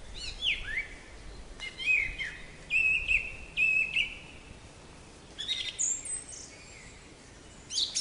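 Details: Black-capped chickadee, a small nonmigratory songbird of North American deciduous and mixed forests, giving a high sweeping note, then several long, even, buzzy 'dee' notes, then a second burst of high scratchy notes.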